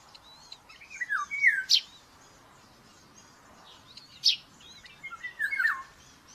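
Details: At a Hungarian nest in Tiszalök, a young common buzzard begs during morning feeding on May 5, 2024, recorded by a nest cam: two drawn-out, downward-sliding whistled squeals, with brief sharp clicks and small birds twittering in the background.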